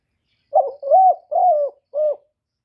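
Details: Spotted dove used as a lure bird, cooing to stir up and attract other doves: four low, husky coos in about two seconds, the middle two drawn out and the last one short, with a clean, quiet background.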